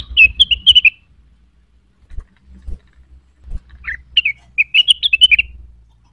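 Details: Cucak wilis, excited by a provoking call and looking for a rival, delivers fast chattering chirps. A pause follows with soft knocks, then a longer energetic burst over a low rumbling background.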